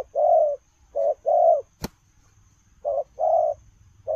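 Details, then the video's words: Spotted dove cooing in the 'lèo rồng' style while running: mellow low coos in pairs, a short clipped note followed by a longer drawn-out note, with a sharp click between phrases. "Gù Lèo rồng vừa chạy vừa gù"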